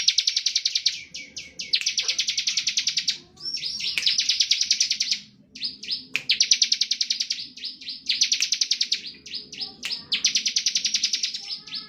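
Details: Bar-winged prinia in standard ngebren-style singing, played to provoke other prinias. Long runs of rapid repeated notes follow almost without a break, with only brief gaps and a few slurred notes between runs.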